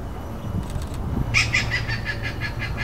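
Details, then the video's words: Stork-billed kingfisher giving a harsh, rapid cackling series of about nine rasping notes, slowing slightly, over a low rumble, over the Sungei Tampines at Pasir Ris Park mangroves, Singapore. "Calls of a Stork-billed Kingfisher"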